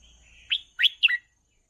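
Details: Red-whiskered bulbul song used for training young birds: a short phrase of three bright, warbled notes sliding between high and mid pitch, over a faint low hum.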